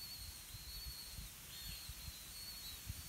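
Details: At a blue-winged pitta nest with parents feeding earthworms to chicks, two long thin high whistles sound in succession, the second with a brief dip, against low outdoor rumble.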